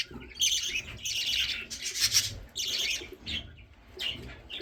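Budgerigar chicks give harsh, hissing begging calls in rapid, overlapping bursts to ask for food.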